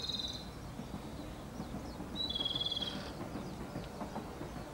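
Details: Japanese robin, one of Japan's three renowned songbirds: a brief high trill opens, then a longer, quick, level rattle near the middle, over a persistent low rumble of ambient noise.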